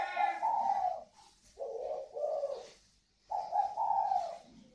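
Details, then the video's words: Kept northern Vietnamese spotted doves, a native pair with a ringing 'còi vang' voice. A run of wavering coo phrases: a long opening note, two shorter ones, then another long coo after a brief pause. "Thưởng Thức cặp đoi chim cu gáy CÒI VANG _ THỔ XỊN (cu gáy miền bắc)"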